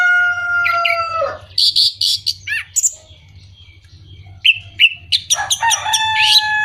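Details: Orange-headed thrush, song used to stir up birds that are moulting, stalled or lacking breeding drive: a long, rich held note, then a string of crisp chips and slurred whistles, a pause, and a dense, varied warble.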